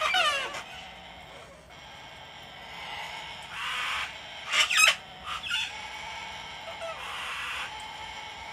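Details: Wild cockatoos flock onto an Australian home deck to be hand-fed on a cold, wet winter day; softer rasping screeches come and go, broken by a few sharp, clipped squawks in quick succession.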